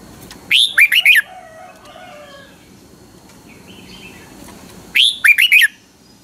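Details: Red-whiskered Bulbul, a Thai caged bird of the Pa La-u line, in 'double song' style. Two bright phrases, each a rising whistle plus three quick warbles, are set about four seconds apart with faint softer bird notes between.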